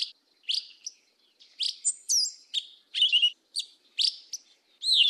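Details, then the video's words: Yellow-legged thrush giving 'mateiro do sul' song: short scratchy chips alternating with high twisting whistles and slurred notes, phrases spaced by brief silences, ending in a rising-falling whistle. "SABIÁ UNA PRETA CANTO MATEIRO DO SUL"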